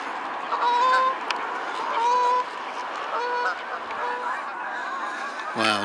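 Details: A few geese coming in over a snowy, partly frozen lake, giving loud nasal honks, two long level calls then shorter repeated honks about once a second, with a man exclaiming and wind noise in the background.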